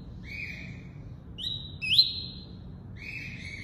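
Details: Caged double-collared seedeater singing tuí-tuí: a soft lower flat note, then a high rising whistle swelling into a long sustained tone, and the soft lower note again.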